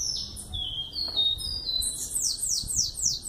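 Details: Song of an eleven-month-old young bananaquit: clear high whistled notes stepping downward, then a rapid series of sharp, buzzy, descending high slurs.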